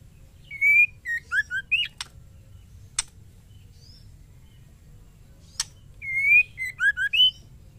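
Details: A female white-rumped shama calls a male with a 'ketrekan' call. Two phrases of high whistles are heard, each a drawn-out rising note then quick dipping slurs, with a few loud sharp clicks between.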